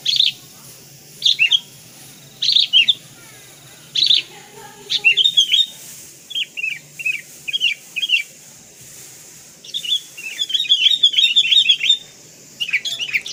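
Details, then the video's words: Sooty-headed bulbul in a full-isian training song recording, described as very vocal: scattered short, bubbly two- and three-note phrases, then a denser run of quick, twittering notes near the end. "MASTERAN FULL ISIAN KUTILANG KAPAS"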